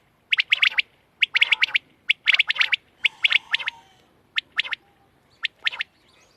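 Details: Quail recorded on 31 March 2024, uttering crisp, high chip notes in tight clusters of three or four, the bursts separated by short pauses, over a quiet background.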